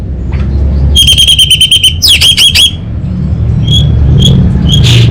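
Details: Caged orange-headed thrush from North Bali, Singaraja, delivering a rapid run of repeated clipped whistles on one pitch, then buzzy rattling notes, followed by a few spaced single whistles over steady low hum.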